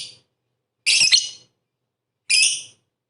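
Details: Lovebird giving harsh, high squawking notes, two main bursts over three seconds with silence between, from a recording meant to provoke rival lovebirds.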